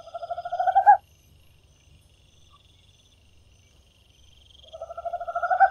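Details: Tropical screech owl song in two pieces: the close of one trill of low, rapid, purring hoots growing louder to an end, a long quiet gap, then the next trill starting and building in volume.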